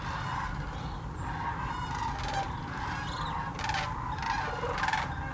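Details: Huge flock of sandhill cranes wintering at Hiwassee Wildlife Refuge, Birchwood, Tennessee: dense, ongoing rolling calls from many birds at once, broken by several short bursts of broadband hiss, over a low rumble.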